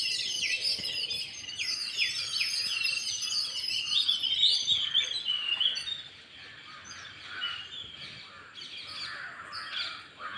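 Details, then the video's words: Sparrows chirping: a busy stream of bright, short, high tweets tumbling over one another, loudest in the first half and thinning to scattered chirps later, with faint background noise. "Sparrow Chirping Sound"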